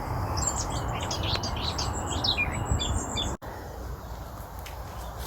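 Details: A breeding pair of pied (White) wagtails chatter in branches at Thorpe Marshes Nature Reserve, Norfolk, on a May evening: quick, high twittering bursts for about three seconds over a low wind rumble.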